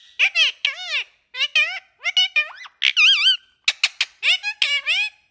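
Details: Talkative parrot babbling nonstop indoors: quick strings of high, squeaky, word-like syllables with swooping, warbling pitch, one longer wavy note near the middle, and gaps of silence between phrases.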